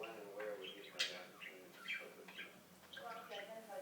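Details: Talking budgie kept as a pet between 2007 and 2016, producing a short burst of buzzy, word-like chatter with a sharp squeaky chirp at one second and thin whistled notes.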